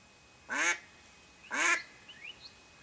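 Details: Hen mallard kept to attract wild ducks while hunting, uttering two drawn-out, coarse quacks about a second apart, with faint high twittering from other birds afterwards.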